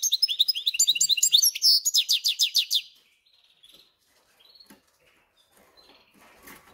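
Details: European goldfinch crossed with canary, kept as a cage bird, delivers a burst of quick high twitters and repeated whistled notes for about three seconds, followed by near silence with faint rustles.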